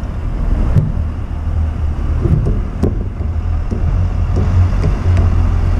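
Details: Heavy wind buffeting and low traffic rumble with a few brief knocks, with no animal calls.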